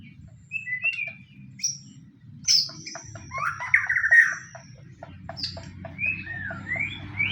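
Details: White-rumped shama fighting-bird song used to lure other shamas into singing: scattered short whistled phrases, a high thin note, then a louder tangle of warbles and rising slurs, with low rumbling noise throughout.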